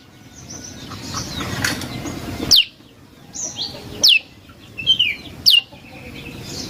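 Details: Prinia song for luring birds: clear, high notes dropping sharply in pitch, given singly every one to one and a half seconds, with softer chirps between and background rustle early on.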